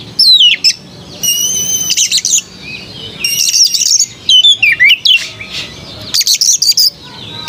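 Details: White-rumped shama singing sweetly with loud, high phrases: sliding whistles, sustained tones and rapid scratchy trills arriving in four or five bursts separated by short pauses, over a faint steady hiss.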